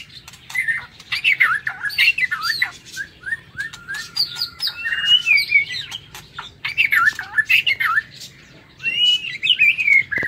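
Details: White-rumped shama in an aviary, morning: loud continuous song of fluty whistles, slurred glides and rapid warbled phrases with a few pauses and clicking noises.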